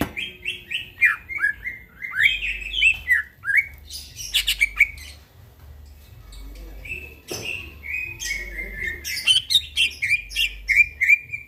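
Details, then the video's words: Greater green leafbird singing vigorously in the middle of the night, recorded as a training song for birds. Varied whistled phrases with slurred, descending notes, bursts of sharp chirps and a short pause midway. Faint low humming pulses underneath. "burung cucak ijo bunyi tengah MALAM GACOR"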